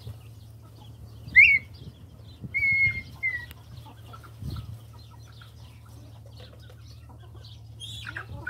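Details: Red-winged tinamou at the start of a new season: a sharp upslurred whistle, then a longer steady whistled note and a brief shorter one, over a constant low hum and faint rustling.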